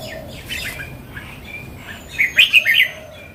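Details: Mature wild red-whiskered bulbul: after faint twittering, one loud phrase of four or five quick, cheerful whistled notes near the end.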